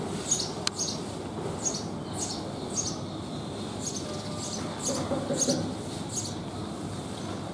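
A house sparrow gives a run of short, high, bright chirps, roughly two per second, over a steady low rumble of background noise.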